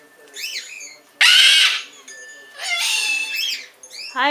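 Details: A Triton cockatoo, responding to a recording of a bare-eyed cockatoo, gives loud, harsh screeches between softer, rising-and-falling squawky notes, about five calls in four seconds; the recording plays alongside and a bare-eyed cockatoo calls in the background.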